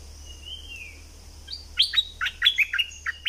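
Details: Decoy call of Thick-billed flowerpecker from southern Thailand: a faint drawn-out whistle, then a lively run of sharp, high, clicking chirps in quick pairs and singles over about two seconds.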